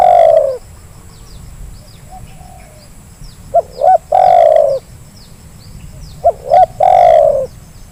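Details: Spotted dove lure call meant to get reluctant birds calling: three phrases, each two short rising notes followed by a long, low, falling coo, with a faint steady high hiss behind.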